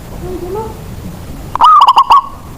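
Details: Zebra dove of local Indonesian stock, a decoy whose singing sets other doves off: faint distant cooing, then one loud, rapid phrase of four or five clipped, hollow coo notes ending the recording.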